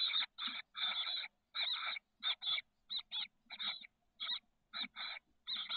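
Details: A brood of chestnut-backed chickadee nestlings, 13 days old, in a nest box on the San Francisco Bay south peninsula. Loud, harsh, buzzy bursts come rapidly, roughly one or two each second, with short silent gaps.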